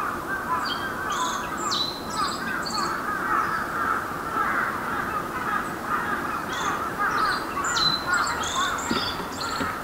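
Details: Black-faced bunting song of brief high chirped phrases with quick downward slides, given in bursts at the start and near the end, over constant rushing background noise and a faint mid-pitched hum.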